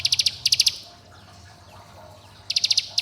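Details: Bar-winged prinia song used as a lure to get young birds to sing, calling companions and provoking rivals: two bursts of four to five rapid, high, dry ticking notes, a pause, then a third burst.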